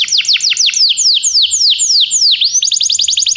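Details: Belgian canary singing to stimulate other canaries: a run of loud, high descending whistled sweeps repeated about five per second, one long downward slur, then a fast bright trill of short rising notes; faint low hum beneath.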